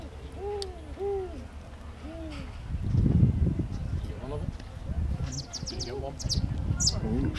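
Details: At sunset in Namibia, where a spotted eagle-owl pair is mating, three soft, arched hoots come in the first few seconds, then people talking and small high chirps take over.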